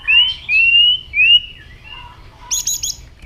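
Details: White-rumped shama giving fighting song: three loud rising whistled notes, softer low whistles, then a quick burst of high chattering notes and a sharp click at the end.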